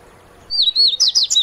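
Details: Song of a Dubois's seedeater, called papa-capim-de-costas-cinzas or coleiro mineiro in Brazil: a high whistle opens, then quickly breaks into a string of sharp, chirping notes that rise and fall, clear over quiet background.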